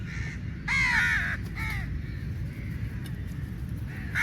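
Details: A crowd of crows contesting meat; one drawn-out, hoarse, nasal caw dominates, followed by a shorter caw and faint calls from other crows, with steady low-pitched background noise.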